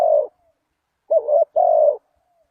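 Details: Low hollow coos of a spotted dove used as a lure for wild doves: the tail of one coo, a pause, then a short note and a long, even, drawn-out coo, with nothing else audible.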